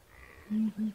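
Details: A southern ground hornbill in Kruger National Park, South Africa, gives two deep, hollow booms in quick succession, each low and steady, over a faint background hiss.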